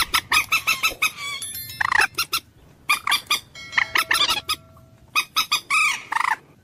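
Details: Common moorhen delivering sharp clucks in quick clusters separated by short pauses, with a few arched squawking notes mixed in and a thin faint whistle in the background.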